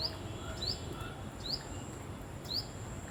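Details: Repeated thin rising chirps from a tailorbird, four calls spaced about half a second to a second apart, with a faint lower note between them and a constant high hiss behind.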